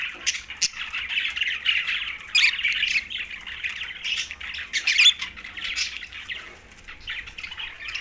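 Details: Steady scratchy warbling from green budgies, a busy overlapping mix of squawks and chirps with a few sharper, louder notes near the middle, then trailing off softer toward the end.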